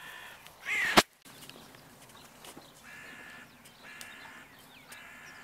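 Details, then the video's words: Crows in the evening: a sharp, loud knock comes first, then three fainter, flat, even-pitched caws follow at steady intervals of about a second. "Krähenabend / Crow evening"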